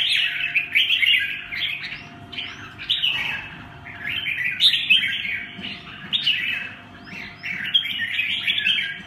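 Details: Red-whiskered bulbul, a short-crested 'mào cui' bird, delivering a continuous run of chirpy, warbling notes in quick fluttering phrases with brief pauses; a constant faint hum sits beneath.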